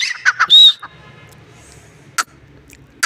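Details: Partridge calling: a quick burst of harsh, squawky notes, then a loud, clear whistled note that rises and falls, followed by quiet with two sharp clicking sounds near the end.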